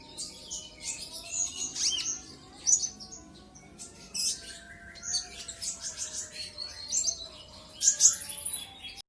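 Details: Sunbird song used as a bait recording to provoke a rival bird into singing: dense, high, rapid twittering chirps and sharp squeaky notes in quick bursts, with steady faint tonal hum beneath.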